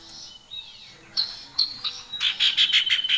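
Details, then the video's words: Male and female common iora singing, described as loud, shrill and very active; soft thin whistles open, then sharp high chips and a run of rapid bright notes at the close. "Sirtu Jantan Dan Betina Gacor"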